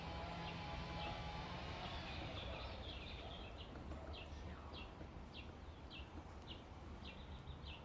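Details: Cardinal woodpecker calling: a series of short, sharp, high notes, about two or three per second, over a steady low rumble of background noise.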